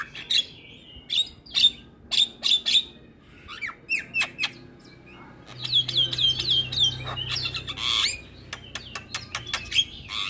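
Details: Lively Javan myna song full of filler phrases: spaced sharp squeaks repeated about every half second, then a busier run of slurred whistles and harsh chatter over a faint low hum.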